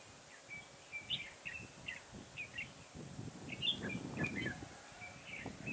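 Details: Garden trapping session with a decoy red-whiskered bulbul, 9 October 2017: a row of short whistled phrases repeated about twice a second, partly covered midway by low rustling and thumping noise.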